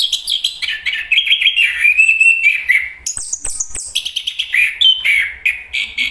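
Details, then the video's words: Smooth, sweet whistled phrases from a Chestnut-capped thrush, gliding gently down, then a burst of rapid high chattering notes and renewed warbling. "anis kembang bang jago nyanyi"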